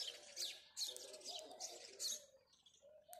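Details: Morning chirping of house sparrows, short bursts of sharp, high chirps in quick clusters, backed by soft low dove cooing running through the recording.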